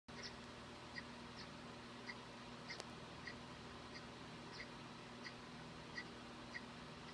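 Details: Violet-green swallow nestlings on day 10 after hatching on June 17, 2015, filmed on a nest camera in early morning on June 27, 2015, give faint, short high cheeps about every half second over a steady low electrical hum.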